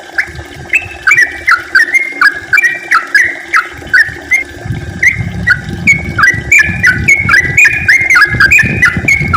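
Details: Long, rapid-fire yellow-vented bulbul song meant to stir other bulbuls into active singing: a continuous string of short, bubbly, liquid phrases that jump up and slur down, about three per second, against faint low background noise.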